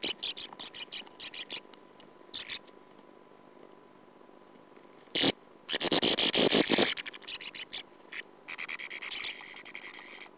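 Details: Sand martin (Riparia riparia) at a nest, filmed by nest camera in 2009, giving dry, raspy chattering calls in quick ticking runs and one longer buzzy burst, separated by short silences.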